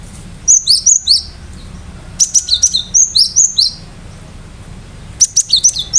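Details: Cinereous tit known locally as gelatik batu, singing full of sharp shots to provoke rival birds: three bursts of fast, high, bright whistled notes, each burst four to eight strokes with short pauses between, steady low hum behind.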